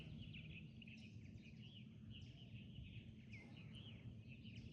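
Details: Sparrows, back in spring, give quick high chirping bursts every second or so by a lakeshore on 15 May 2025, over a steady low rumble of wind and water.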